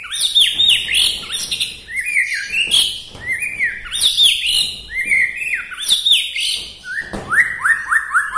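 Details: Native white-rumped shama from Bahorok in full song, meant to rouse other shamas: rapid, rich phrases of bright chirps, trills and descending whistles, repeated in loud bursts roughly every second with brief breaks.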